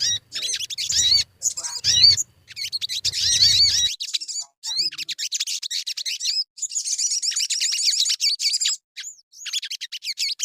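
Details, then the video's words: Sogon song for luring birds into singing: lively high twittering phrases with sweeping whistled notes, then a long rapid trill-like run of repeated notes before a few spaced chirps near the end. "Suara pancingan burung sogon_pasti cepat gacor"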